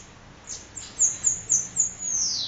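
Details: Sibite (bananaquit) in Parnamirim, Rio Grande do Norte, giving 'endemoniado'-style song: four quick, piercing high squeaks in an even row, then a long sibilant downward hiss.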